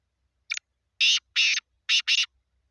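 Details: Kala teeter, the black francolin, calling in Sindh, Pakistan. A short scratchy opening note leads into four loud, grating, buzzy notes grouped in two pairs, delivered close and clear with near silence around them.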